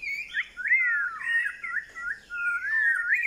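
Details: White-rumped shama singing rich fluting whistles that swoop up and down in connected loops, with a short pause before a final series of undulating notes.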